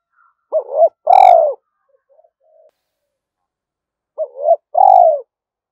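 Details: Spotted dove cooing to call wild doves toward a trap: a two-peaked rolling coo then a long rich coo, a few faint soft notes, and the same two-part phrase repeated about four seconds later.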